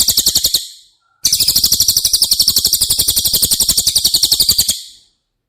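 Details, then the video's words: Training song of the cililin for caged White-rumped Shamas: a short high rattle ends, then after a pause a longer rapid, buzzy trill of regular notes runs for several seconds before stopping. "Masteran CILILIN Materi Wajib untuk Burung Murai Batu anda!!"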